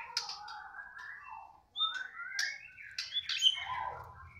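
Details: Caged white-rumped shama (murai batu) singing in the balak six-sound style as its cage cover is opened: soft varied warbling with slurred whistles and brief high notes, fairly quiet, with faint low noise at the end.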